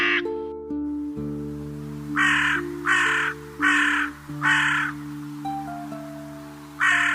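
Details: Hoarse crow caws, about six rough notes roughly evenly spaced, the last after a longer pause, over quiet sustained background music.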